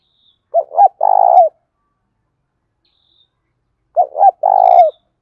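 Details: Spotted dove cooing, played so captive doves will coo: two identical phrases about three and a half seconds apart, each two short notes and a long burry coo that falls away, with faint high chirps.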